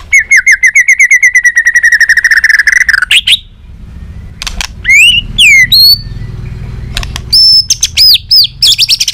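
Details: White-rumped shama with a varied, many-voiced song used to train and stimulate other shamas: a long rapid series of rattling whistled notes, then sweeping slurred whistles and clear sharp high whistles after a brief pause.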